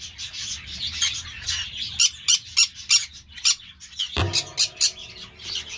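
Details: Green-cheeked parakeet squawks: soft scratchy chatter, then a series of sharper, high, rasping calls at an uneven pace, with a sudden clank-like tonal noise partway through.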